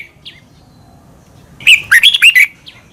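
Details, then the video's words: Red-whiskered bulbul song from Thailand, used to train caged birds to sing: a single rapid phrase of about five clear, warbled whistles after a faint opening note, then a short soft note at the end. "นกกรงหัวจุก. นก - 30 นาทีทุกเช้า เพื่อให้นกเรียนรู้ที่จะพูดได้อย่างรวดเร็วและหนักแน่น"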